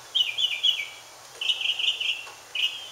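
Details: Mockingbird singing to attract a mate with burry, rapidly repeated notes in short bursts: three notes, then four, then one, all at a similar high pitch with a quiet background.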